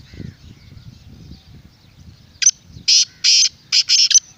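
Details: Black francolin call, used to make a kept bird call and to draw wild francolins: after a quiet start, a harsh, grating run of five loud buzzy bursts. A low background rumble and faint distant whistles sit beneath.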